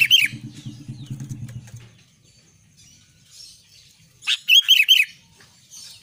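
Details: Albino sooty-headed bulbul in vigorous song: a single quick looping note at the start, then after a pause a short phrase of three rolling whistled notes, with a low hum early on.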